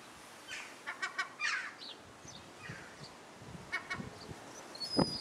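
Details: A mated pair of European herring gulls (Larus argentatus) with their chick at Alkmaar, Netherlands, 17 July 2011, give harsh, nasal calls in short ragged bursts, with a couple of thin high notes near the end and a sharp knock.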